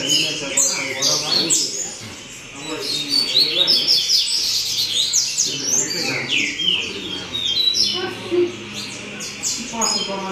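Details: A Double-collared Seedeater sings a loud, fast run of high twittering and buzzy notes without pause, with faint voices and low noise underneath.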